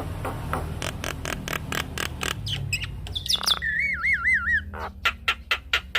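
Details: A Javan myna sings in a training and lure recording for myna birds. Evenly spaced ticking notes lead into a long warbling, wavy whistle, then more sharp ticks over a low background rumble.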